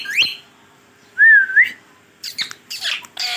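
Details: Pet green Rose-ringed parakeet giving a short upward whistle, then a clear wavering whistle, then a brief burst of harsh, speech-like chatter.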